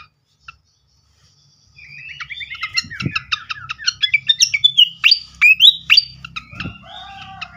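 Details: Srikatan flycatcher lure song meant to trigger singing: after a quiet start, a fast twittering run of sharp chips and whistled upslurs, with two low thumps in the background.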